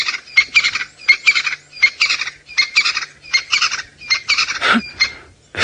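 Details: Crested francolin calls loudly at close range on a late-afternoon safari drive in Sabi Sand, South Africa, in January: a harsh, rattling run of scratchy 'kick, double-kick' phrases; possibly reacting to a nearby leopard.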